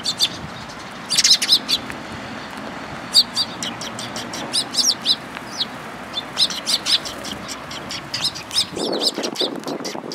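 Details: A group of sparrows at a bridge, afternoon of 31 March 2022: bright, sharp chirps arrive in clustered bursts, some doubled or tripled, separated by brief pauses, over a soft background hiss.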